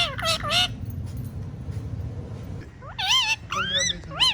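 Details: Pet talking parrot giving short, loud, warbling whistled notes at the start and end, with human speech in between.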